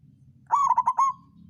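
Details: Local zebra dove in the songgo ratu style, a lure sound meant to raise rivals' arousal and get idle birds singing; one loud burst of four or five fast throbbing coos ending on a longer held note over a low hum.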